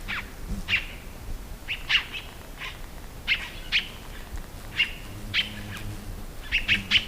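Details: Scarlet-throated Tanager singing a series of sharp, clipped notes, some in quick pairs, repeated irregularly about every second, with faint low background noise.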